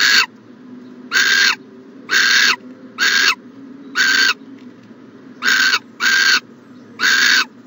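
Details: Owl in a nest box, morning of January 14, 2020, producing short grating hisses in irregular bursts, some paired close together, eight in all with quiet background between.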